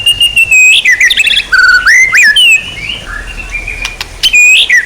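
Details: Songbird training material, presumably white-rumped shama: loud, varied whistled song of clear, slurred phrases, some held steady and some sliding up or down, mixed with sharp clicks and brief pauses.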